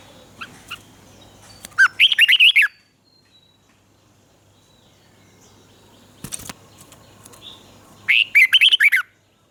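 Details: Thai Red-whiskered bulbul song in southern master style, used to stimulate caged birds and teach young ones: two brisk warbled phrases of rapid whistled notes about six seconds apart, with a sharp click between and faint background hiss.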